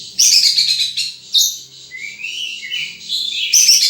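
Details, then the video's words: Wild sunbird giving shrill, high-pitched twitters and chirps, bursts of rapid piercing notes separated by a smooth, slurred whistle that climbs then drops, ending in another dense burst of squeaky notes. "Suara Burung Madu liar"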